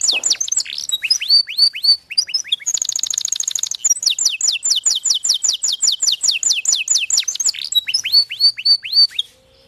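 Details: Canary in full song, moving through varied phrases: sweeping chirps, a short pause, a very fast buzzy trill, then long runs of crisp repeated descending notes ending in a faint tone.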